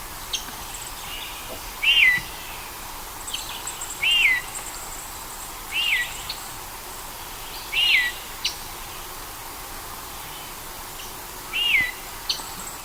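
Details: A begging juvenile Rose-breasted Grosbeak recorded in Ontario gives a slurred, rising-then-falling zweer call about every two seconds, over faint background hiss.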